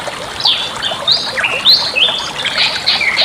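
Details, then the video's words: Bali myna song for teaching other songbirds, a master track: clear whistles sliding up and down, bright upslurs and brief harsh notes in quick sequence over a constant hissing background. "suara masteran burung jalak bali"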